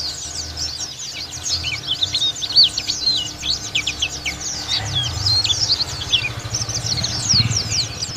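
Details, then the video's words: White-eye from the Lawu area in full extended song, a dense unbroken flow of quick high chirps and twitters, with soft low rumbling noise in the background. "Pleci Dakun lokal Lawu Ngalas Buka Paruh"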